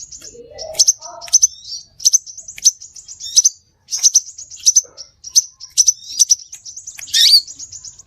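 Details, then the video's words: Scarlet minivet luring calls: a continuous run of high, sharp chirps and brief trills, with a few faint lower notes near the start and a loud harsh burst near the end. "Suara pikat burung SEPAH RAJA"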